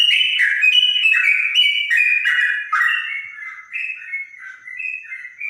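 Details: Trotok singing in a clear voice resembling a straw-headed bulbul: a steady run of rich, mellow whistled notes, quickly repeated about three per second, stepping up and down in pitch.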